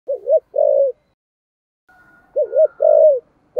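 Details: Spotted dove in 'thổ sấm' voice, 'thúc gù' cooing style: low hooting phrases, each a short wavering double note then a longer steady coo that falls at its end, given twice with a pause between; faint higher tone in the gap.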